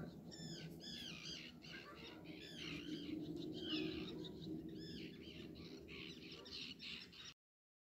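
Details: Common greenshank calling almost non-stop on 9 August 2020: ringing, slightly harsh calls in quick runs of several notes, with pauses between bursts, over a steady low rumble of wind or water.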